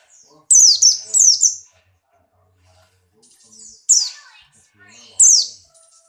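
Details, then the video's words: Pleci Buxtoni white-eye in heightened breeding condition gives high, sharp descending chirps: a pair of quick double notes, a pause of two seconds, then two single piercing downslurred whistles. "burung pleci Buxtoni birahi kencang loncat indah nembak"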